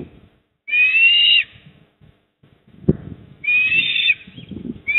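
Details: An eastern osprey on its nest in Port Lincoln, South Australia, evening of 28 October 2024, 19:26. It gives two drawn-out, slightly rising whistled calls about two and a half seconds apart, with a knock between them.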